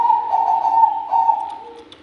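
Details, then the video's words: Bangkok-type zebra dove, a champion singer, holds a steady, slightly wavering mellow coo that breaks once midway and then fades, with a low hum beneath. "Perkutut Bangkok Gacor Juara perkutut apapun pasti ikut bunyi"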